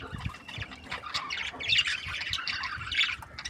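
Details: Budgies giving dense, continuous chattering chirps, a busy tangle of overlapping high squeaky notes from several birds, with a low background rumble throughout.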